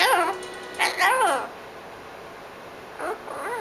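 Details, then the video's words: Pet blue-fronted amazon, seven months old, in morning chatter: two or three wavering, moaning nasal notes that bend up and down, a quiet pause, then softer wobbling calls near the end. "the parrot - good morning chatter"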